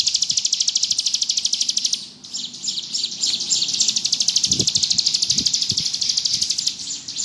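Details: Bar-winged prinia (ciblek gunung) singing in the ngebrem style: a fast, buzzy trill of high notes that pauses briefly near two seconds, then resumes as a steady rapid run. Faint low rustles underneath.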